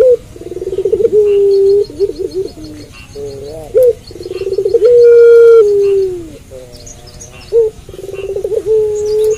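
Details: Puter pelung dove cooing after dark in repeated phrases: each opens with a rapid throbbing roll, breaks into a stretched, even coo that slides down at the close, and then goes quiet briefly before the next.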